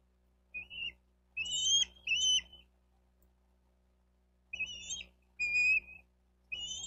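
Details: Bald eagles at a nest in Miami-Dade County, Florida, 5 June 2023, on a nest cam: high, thin, squeaky chattering notes in short bursts, two pairs of phrases separated by a silent gap, no other clear sounds.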